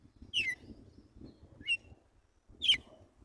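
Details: A pure wild Red-cowled cardinal (Paroaria dominicana) sings in the morning, giving three short, bright whistled phrases about a second apart over a low steady rumble.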